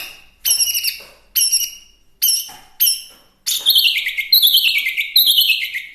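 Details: Chinese hwamei starting with four separate bright, harsh notes spaced almost a second apart, then breaking into a continuous fluid run of high slurred whistles.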